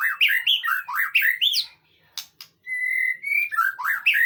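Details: White-rumped shama song used as a training recording meant to draw a reply: rapid bursts of loud whistled and slurred notes sweeping up and down, a brief pause with clicks, then a long steady whistle and more fast phrases.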